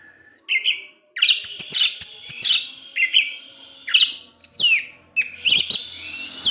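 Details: Orange-headed thrush kept as a cage bird, singing in the ngecip ngecis teler style: a varied run of high whistled phrases and sharp chips, with short pauses between bursts and falling sweeps near the end.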